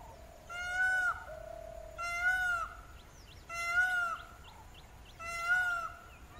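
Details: Indian peafowl (Pavo cristatus) giving its far-carrying, trumpet-like ka-aww call in low-country dry-zone jungle at Panwewa–Nochchiyagama: four loud, nasal, wailing cries, each under a second, about every one and a half seconds, with faint small-bird chirps between.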